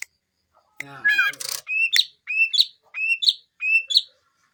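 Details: Greater green leafbird: after a harsh chattering burst, it gives four rising whistled phrases about once a second, each ending in a higher twist.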